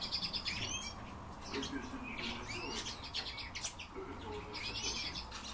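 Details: Eurasian bullfinches: several short chirping and whistled notes, some high and arched, scattered across the clip in small bursts, over a faint low background rumble.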